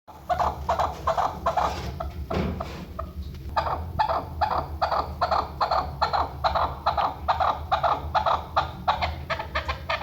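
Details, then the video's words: Chukar partridge, called the national bird of Pakistan, used as a hunting call: rapid repeated clucking chuk notes, roughly two per second, building into a fast steady series, with low hum underneath. "shikari zirk chakor ki awaz"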